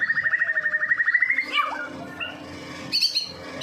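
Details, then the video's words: White-rumped shama from Medan singing to lure other shamas: a quick steady trill of repeated notes rising slightly, then scattered chirps and a burst of high notes. "murai batu Medan. gacor door . cocok buat pancingan burung murai batu lain nya."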